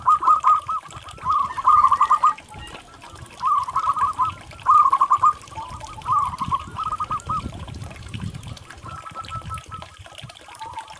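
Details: Local zebra dove song played as therapy and lure for stressed doves: short, rapid bursts of soft cooing notes in rolling phrases separated by pauses, some fainter, over steady low background rumble.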